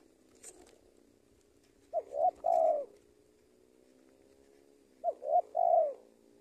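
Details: Decoy spotted dove in Indonesia used to lure wild birds, cooing twice about three seconds apart; each phrase has two short rising notes followed by a fuller, longer descending coo, with a soft tap early on.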